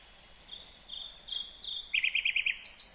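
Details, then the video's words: A Kyrgyz nightingale, 2020, gives several level whistles that grow louder, then a rapid burst of six identical punchy notes and a final high phrase. "Незабываемое Пение соловья / Chill out Nightingale Singing / Булбул уну / Булбул овози"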